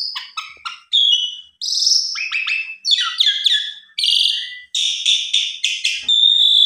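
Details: Asian pied starling, agitated and answering a rival, giving a long varied song: quick chirps, whistled notes and buzzy rasping phrases in bursts separated by short pauses.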